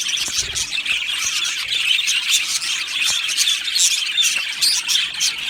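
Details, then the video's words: Colony of budgerigars chattering in an aviary, Australian parakeets singing as a group; dense high warble with squawky notes and rapid chirps overlapping without pause. "Beautiful Budgies Birds Singing and Chirping Sounds"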